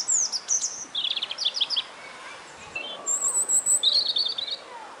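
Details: European robin in Kelsey Park, Beckenham, Greater London, England, in March 2016, where many robins were present: varied high, thin twittering phrases of rapid trills and slurred whistles, with short pauses between phrases.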